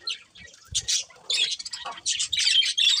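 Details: Colourful budgerigars from a breeding pair make broken bursts of harsh chirps and squawky warbles. Short gaps separate the bursts, and the chatter grows denser and louder toward the end.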